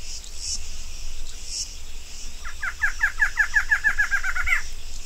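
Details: Female barred antshrike delivering an accelerating run of short, nasal, rattling notes lasting about two seconds. Before and during the call, a continuous, high, pulsing insect chorus buzzes in the background.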